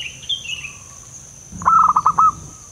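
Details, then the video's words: Wild zebra dove calling, used to lure doves for trapping: one rapid, bubbling coo phrase of clipped notes after another bird's high descending calls, with a persistent high insect hum. "Suara pikat perkutut lokal alam liar sekali bunyi bikin gacor"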